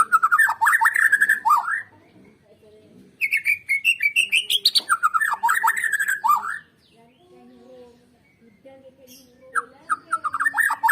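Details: White-rumped shama song used as a lure to prompt other shamas to sing: loud bursts of fast, slurred whistles and chattering notes, broken by two quiet gaps with a low background hum.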